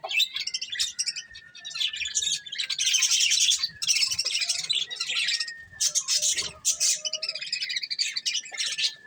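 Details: Several budgies eating corn keep up continuous chirping and rattling warbles, loudest in the middle, with a faint sustained whistle underneath.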